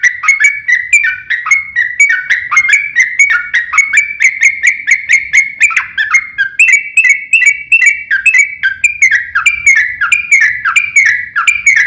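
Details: A yellow-vented bulbul sings a long fighting song used to draw replies from other bulbuls: a continuous string of quick bubbly notes, each dipping in pitch, repeated nonstop for about twelve seconds.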